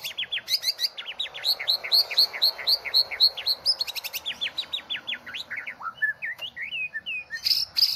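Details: Champion competition white-rumped shama (murai medan, 2018 President Cup) pours out rapid repeated downslurred whistles, about four per second, mixed with high chips, ending in varied short notes and a sharp burst.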